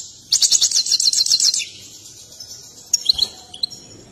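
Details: European goldfinch, excited and dancing, delivers a fast liquid trill of tinkling high notes for over a second, then pauses before a few scattered bright chirps and twitters.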